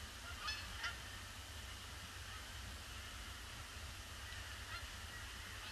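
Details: Canada Geese arriving in a huge influx on Boxing Day, 26 December 2015, circling a pond before landing on a gloomy grey day; two distant honks stand out early, then faint overlapping calls over a steady low rumble.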